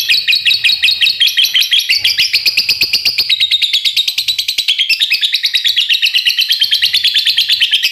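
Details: Fighter laughingthrush giving a long laughing call: a continuous chattering run of rapid, evenly repeated harsh notes, about three per second, lasting the whole clip without a break.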